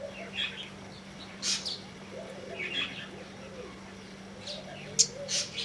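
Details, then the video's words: White-bellied Sunbird giving thin, high chirps and short twittering bursts every second or so, with one sharp click-like note, over a steady low hum. "White breasted Sunbird"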